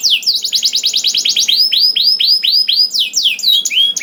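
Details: Canary song used as a prompt for other canaries: a rapid run of sharp descending notes, then slower, loud, downslurred whistles repeated roughly twice a second, ending in varied chirps.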